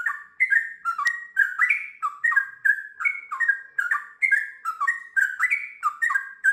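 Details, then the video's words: Yellow-vented bulbul sings a lively, unbroken run of bubbly whistled phrases that dip and rise, two or three notes every second, with nothing else heard. "TRUCUKAN GACOR ngiwir lanjut ROPEL PANJANG"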